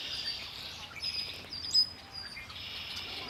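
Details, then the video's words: Songbirds singing by Lake Erie: thin high chirps and short whistled notes over a steady hiss of outdoor background noise, with one brief louder whistle near the middle. "Birds singing by Lake Erie"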